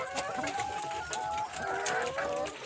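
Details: Home-kept layer or Fayoumi hens making a run of drawn-out, slightly wavering whines in quick succession, several birds overlapping, with a final longer note that rises then dips, over light background clatter.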